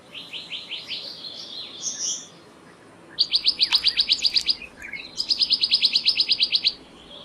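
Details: Male black-naped monarch perched, giving fast rattling series of sharp high notes, a short burst then two longer trills of about fifteen evenly spaced notes each, with softer chirps between.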